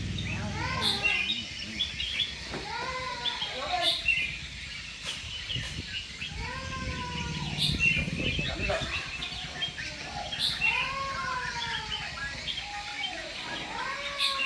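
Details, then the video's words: Red-whiskered bulbul, a caged songbird, singing during a singing competition: slurred, arching whistled phrases repeated through the recording, several overlapping, with people talking and steady background noise. "Chào Mào Đấu Hót"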